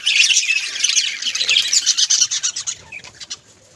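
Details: Home-kept budgies give bright twittering and sharp chirps in a quick jumble, the chatter thinning and fading away over the last second.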